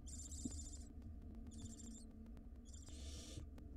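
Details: Wild barn owls at a monitored nest box as the mother delivers a ring-necked parakeet as prey: three harsh, hissing screeches of about a second each, separated by short pauses, over a steady low hum.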